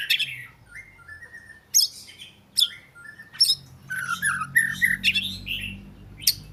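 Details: Oriental magpie-robin song made of scattered sharp upswept notes and short whistles, building into a more continuous run of varied, slurred whistled phrases toward the end, over a low background hum.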